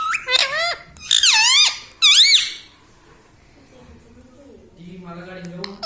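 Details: Talking Indian ringneck parakeet kept as a pet: three loud, scratchy, speech-like phrases in quick succession, each bending down then up in pitch, followed by quiet room tone and faint low sounds.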